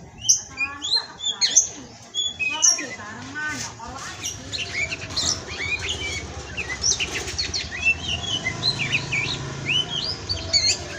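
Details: Kacer, or Oriental magpie-robin, heard as masteran song: loud opening burst of chattering whistles, then softer, scattered slurred notes and chips continuing steadily.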